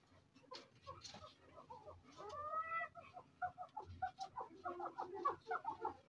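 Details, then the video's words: Arabian partridge, known locally as maskati chakor: a drawn-out wavering call gives way to a quick rhythmic series of short, throaty chuckling notes that grows louder, with scattered clucks from other birds nearby. "pure maskati chakor | Arabian partridges"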